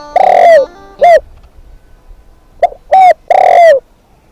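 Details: Spotted dove kept as a decoy bird, cooing loudly and close: a drawn-out coo, a short note, then after a pause a brief clipped note and two longer mellow coos, all low and hollow-sounding.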